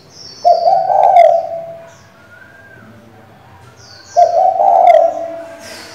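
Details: Female spotted dove calling to the male to stimulate a decoy bird: two low, rolling coo phrases about four seconds apart, with faint high chirps between them.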